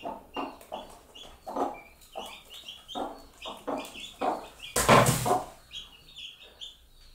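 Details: Mother hen calling her chicks at food, two hens with baby chicks: spaced low clucks roughly every half second, overlaid by high, sliding chick peeps, with one loud rustling burst near the end.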